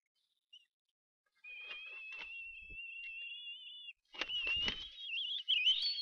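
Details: Two bald eaglets at a Harrison Bay nest, filmed by nest camera on 18 May 2015, cry as a parent brings food: long, thin, high whistled cries, two voices overlapping in near-parallel lines, after a short pause and some clicks.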